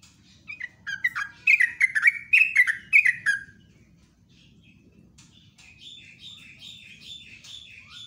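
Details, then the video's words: Sooty-headed bulbul singing a long, rapid, lively ropelan song, kept as a vigorous singer. Loud bubbly, warbled notes pour out in a quick run for about three seconds, then softer repeated higher chirping phrases follow. "PANCINGAN TRUCUK STRES,ROPELAN TOP"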